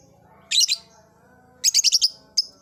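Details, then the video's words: Blue ice lovebird kept in an old cage, starting its ngekek: a harsh double squawk, a fast run of five rasping high notes, then a single sharp chirp, over faint background hum. "Suara burung Lovebird "Kicauan Di Sangakar Tua" Si Gunner Mulai NGEKEK !!!"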